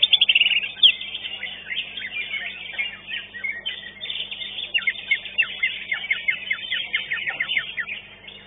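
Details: Competition singing from a greater green leafbird that took second place at Legok Permai; fast varied twittering phrases, sharp downward-slurred whistles repeated in quick bursts, steady busy chatter underneath.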